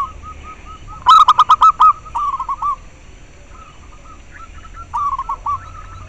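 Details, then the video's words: Cooing of a local zebra dove, played to stir breeding drive in captive birds and as a lure: a loud stuttered phrase with crisp clicking beats, then softer clipped coo series and another phrase near the end. "Perkutut lokal suara ampuh untuk merangsang terapi masteran dan ahli pikat"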